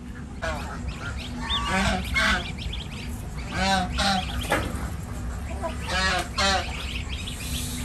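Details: Domestic gosling, six days old, at an Indian village farm, calling in irregular bursts of wavering, harmonic peeps roughly every one to two seconds over a constant low hum.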